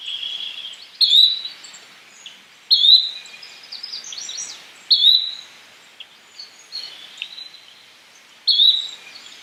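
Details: Call of a Yellow-bellied flycatcher: a crisp upslurred whistle repeated five times at intervals of about one and a half seconds, with soft hissing background noise and scattered faint high chirps.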